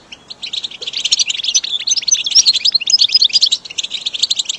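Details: Goldfinch song for caged-bird training: after a quiet start, a building run of high twittering, trills and thin whistled notes continues to the end.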